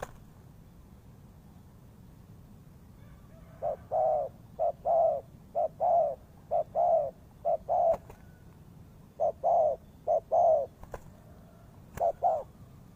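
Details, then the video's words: Spotted dove call used as a lure for trapping: after a few quiet seconds, low mellow coos come in short groups of two or three, each phrase a brief note then a longer, slightly falling coo, with gaps and faint clicks. "The Sound Of Spotted Dove is good"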